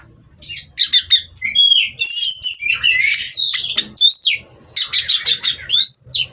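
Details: Competition-bred Oriental magpie-robin in a cage, singing runs of quick repeated chips that lead into buzzy, tumbling warbles and a pure high whistle at the end.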